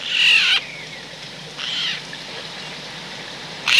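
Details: Eurasian jay at a wild-bird feeding station in rural central France, autumn, 17 December 2019; one loud raspy screech, a fainter hoarse call after it, then another harsh call starting at the end.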